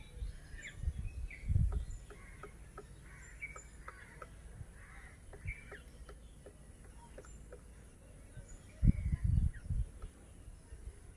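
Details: ['During breeding season a grey woodpecker hammers a nest hole for egg laying into a siris tree branch in Lohajong upazila, Munshiganj district, beside its mate. Crisp single taps come in short irregular runs, with soft bird chirps and bursts of low wind noise.']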